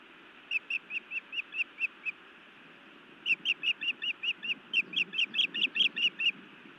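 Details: A feisty female osprey on a Montana nest scolds her mate, later biting him, evening of 31 May 2017; loud, piercing chirps in a steady series, eight notes, a pause, then a long, intensifying run of about sixteen.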